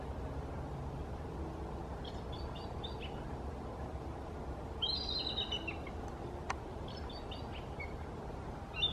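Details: On the Snohomish River, the oldest of three bald eagles sitting in a tree gives several bursts of high, piping, stuttering chatter, three separate series spaced a couple of seconds apart, with constant low rushing noise underneath.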